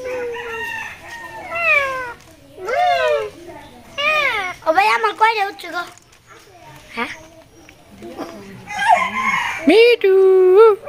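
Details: Talking parakeet kept as a pet utters a string of speech-like phrases: bending, wavering tonal syllables in bursts, several rising and falling glides, and a few short squawky notes, with people speaking in between.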